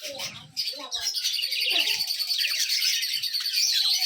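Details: Several budgies in sunlight keep up a dense, continuous high chatter of rapid chirps and scratchy warbles. A person's low voice talks briefly at the start.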